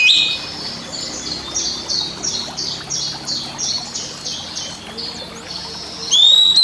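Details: Caged Oriental magpie-robin used as a master recording to coax silent birds into song. A rapid run of about twelve short buzzy high notes, closing with a brief loud whistle.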